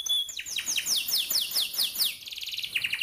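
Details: A young forest canary sings a run of high, quick downslurred whistles, about four each second, then breaks into a fast, rolling trill, used as a training song for young canaries.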